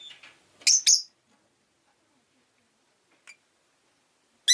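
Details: A pair of bright, harsh chirps from a pet rosy-faced lovebird, followed by near silence, then a short chirp and a final sharp one at the end.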